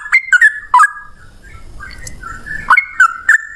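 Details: Male yellow-vented bulbul, long 'ropel panjang' fighting song meant to prompt other bulbuls to sing: a few quick liquid whistled notes, a pause with soft rustling, then another brisk burst of gurgling whistles.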